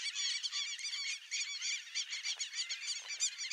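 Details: Flock of wild White-faced Whistling Ducks (irerê) calling together: a dense, continuous chorus of high, overlapping whistled notes, many birds at once, with no break.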